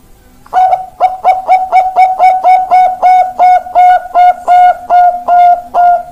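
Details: Ringed Bangkok-type zebra dove with a big, long voice: a long unbroken series of about sixteen short, even, hollow coos in steady rhythm, each note sharply attacked, the later notes slightly longer and spaced wider.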